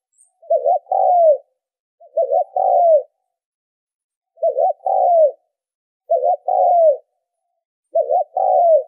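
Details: Spotted dove calls used as a lure for training decoy birds: five evenly spaced coo phrases, each a quick two-note stutter followed by a longer, falling, mellow coo, repeated about every two seconds against a silent background.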